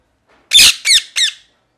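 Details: Parrot, possibly a pet ringneck, giving three harsh squawks in half a second: a loud broad first note, then two shorter screechy notes with falling harmonics, in a quiet room.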